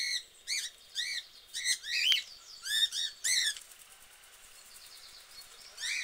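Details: Budgerigars in a cage give quick, scratchy chirps and warbles in short repeated bursts, bright and high-pitched.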